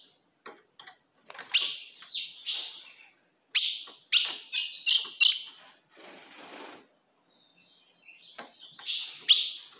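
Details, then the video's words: Ultramarine grosbeak female calls, used to provoke a male: sharp, bright chipping notes with quick downward slurs, in bursts with short pauses and a soft hiss near the middle. "se o seu azulão não segura fogo de fêmea Esse é o vídeo"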